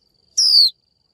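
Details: Single 'chíu' note from a female Japanese white-eye calling a male: one clear, rich, downward-sweeping whistle lasting about a third of a second, set against a thin steady high whine.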